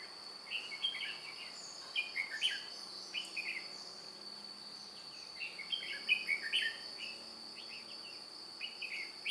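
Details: Decoy red-whiskered bulbul in a trapping session on 2 July 2018, a white-cheeked bird flicking wings and tail: clusters of quick warbled, whistled notes come in bursts, with a constant shrill insect hum behind them.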